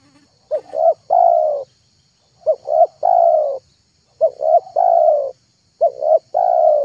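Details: Lure recording of a spotted dove for attracting doves: four low cooing phrases roughly every one and a half seconds, each two quick hoots followed by a longer sliding coo, with a faint constant high-pitched hum behind.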